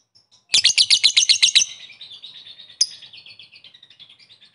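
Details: Rapid pulsed chatter of about ten sharp notes from a lovebird calling rivals, trailing into softer, fading twittering with one bright chirp.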